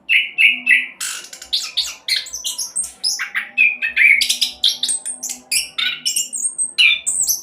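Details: Orange-headed thrush in fast 'roll speed' song style, used as a lure to get other birds singing quickly: rapid, varied chirps and whistled notes sliding between mid and very high pitch, nearly continuous, over a faint steady low hum.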